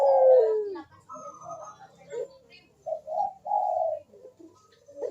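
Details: Puter dove, the Barbary dove, giving 'kuk deruk' coos meant to coax silent birds. A drawn-out falling coo opens, then shorter hollow notes and a longer steady one follow after pauses.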